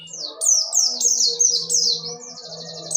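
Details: Oriental white-eye (dakun wilis) in ngerol nembak style: a run of loud, high, descending whistled slurs repeated quickly, ending in a buzzy trill, over a steady low hum.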